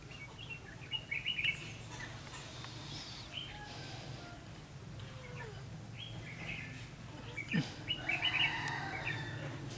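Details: Trapping of red-whiskered bulbuls, 9 December 2015: bouncy, warbled phrases arrive in separate bursts at the start, middle and end, with a low steady hum and an occasional sharp click between them.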